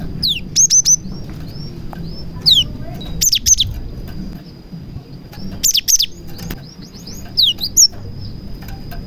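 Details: Gelatik batu (cinereous tit) singing with prinia-style phrases, played to get other tits singing; falling sweeps and clipped high chips in irregular bursts every two to three seconds, against a steady high hum and low background rumble.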